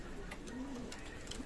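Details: Local flying pigeons kept in a loft; a single low, soft coo near the middle with a short note at the end, over quiet indoor background noise and faint clicks.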